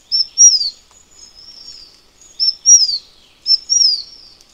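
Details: Taiwan fulvetta, endemic to Taiwan, repeats a high sweet phrase three times in quick succession: a clipped opening note, then a sliding descending whistle, with soft drawn-out notes filling the gaps.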